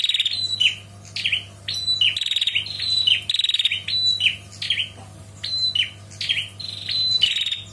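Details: Female bar-winged prinia calling to the male with long trilled 'ngetirr' calls: sharp notes alternating with buzzy rapid trills, each burst about half a second, repeated steadily over a low constant hum.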